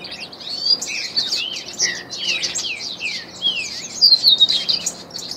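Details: A trained Blue grosbeak gives a lively, unbroken warble of quick, high, rich slurred whistles, many sliding downward, with no pause for over five seconds.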